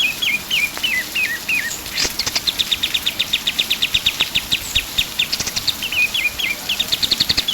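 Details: Pied triller singing energetically, used as a tutor recording for songbirds: short stepped whistles dropping in pitch, then a long fast trill of bright, evenly repeated notes, ending with more falling whistles. Faint background hiss.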